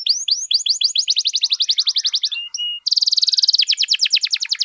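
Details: Singing canary, recorded as tutor and prompt material for other canaries: fast even rolling trill of swept notes, a brief pause with two flat whistles, then a dense buzzy roll and renewed sweeping trill.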